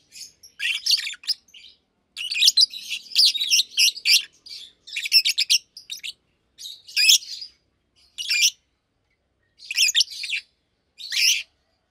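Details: Pair of adult Fischer's lovebirds in a cage, one blue with white head, one pastel green, chirping in daytime: sharp high chatter in groups of notes, thinning to isolated chirp bursts toward the end.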